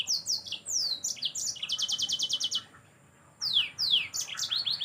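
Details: High, lively canary song from a yellow-fronted canary, used to train songbirds: downward-sweeping whistles, then a fast even trill of about a dozen identical notes, a short pause, and more sweeping chirps.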